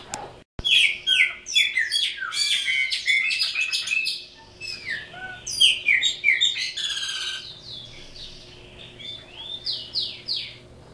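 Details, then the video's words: Caged chopi blackbird, a bird native to Brazil, singing a rich, varied song of quick slurred whistles and chattering notes in dense bursts, with sharper upslurred phrases, pausing briefly near the middle before resuming; a low steady hum underneath. "Pássaro Preto Criôlo Canto"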